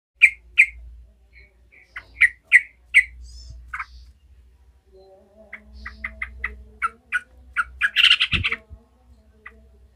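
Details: Yellow-vented bulbul in agitated, angry chattering ('ngekek') song, used to build other bulbuls' fighting spirit: bursts of sharp, repeated notes near the middle register, a pause, then a faster run ending in a harsh burst, with a low hum beneath.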